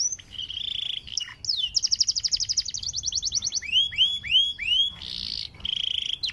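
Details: Panda canary, a caged songbird, singing a sweet song used to encourage canaries to sing: a rapid high trill, a run of loud curved downward whistles, and buzzy rolled phrases.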